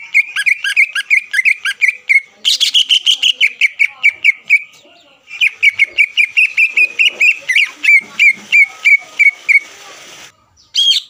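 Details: Greater green leafbird in full song, used as a lure to rouse and steady rival leafbirds before contests; rapid strings of clear whistled notes with harmonics, repeated about every half second, with a brief pause midway and a final bright note.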